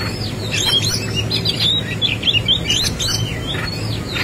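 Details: Oriental magpie-robin singing its fighting song with a varied fill: rapid chattering whistles and short slurred notes tumble almost without pause, over a low steady rumble.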